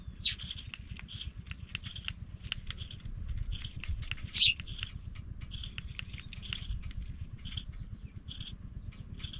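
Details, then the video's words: Pipit nestlings going out of the nest: sharp, hissy high bursts repeated at an even pace, with two brief thin squeaks standing out, over faint low background noise. "babies pipit Leave brother go out the nest"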